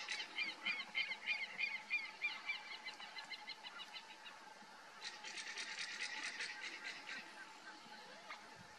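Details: Crane hawk (Geranospiza caerulescens) perched at its lookout, giving a quick series of nasal, honking notes, about three a second, then a denser burst, over a steady insect-like drone.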